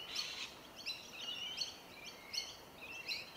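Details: Rainbow lorikeets, Trichoglossus moluccanus, feeding on tree violet berries in suburban Melbourne, Victoria, in January; harsh, screechy chattering calls repeated in short bursts about every half second to second, with a faint background hiss.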